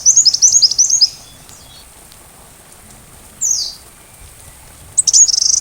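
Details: Sunbird song, recorded for teaching a white-rumped shama to sing: a rapid, very high twittering burst at the start, a single falling slurred note midway and another high trill at the end, with long quiet gaps and soft rain patter.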